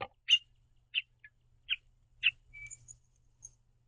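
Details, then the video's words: Pair of house finches on a backyard bird feeder exchanging calls; evenly spaced short sharp chirps about every half second, ending with a thin high whistled note, over soft low background hum. "House Finches Happily Chirping To See The Green Bird Feeder"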